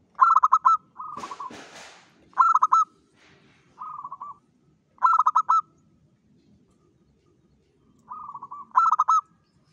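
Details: Local zebra dove in steady song, used to lure other zebra doves: clipped stuttering note bursts alternate with softer rolling trills, repeating every one to two seconds. A loud broadband rustle or knock interrupts early on.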